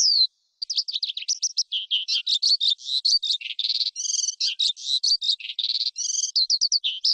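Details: Forest skylark in full song, a brief pause and then a bubbling cascade of buzzy trills, rattling notes and high twitters with no breaks, kept in the high register. Used for rousing wild birds and training young ones.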